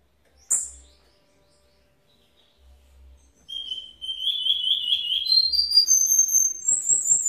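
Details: Cuban bullfinch from Villa Clara, Cuba, singing in the redoblao style: after a sharp click, a rolling, trilled phrase that climbs from middle pitch into high, thin notes and ends in fast sweet twitters.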